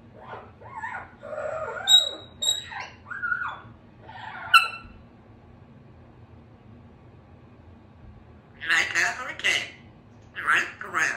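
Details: A young female Congo African grey parrot, hatched June 2021, practises words such as "apple": speech-like babbling and clear rising whistles in the first five seconds, then sharper, raspy chatter after a short pause.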